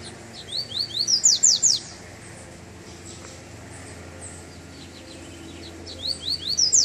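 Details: Double-collared seedeater singing as it comes out of moult, on a first cold-weather outing. Two phrases several seconds apart, each a quickening series of rising chirps that ends in bright, harsh downward sweeps, with quiet hiss between.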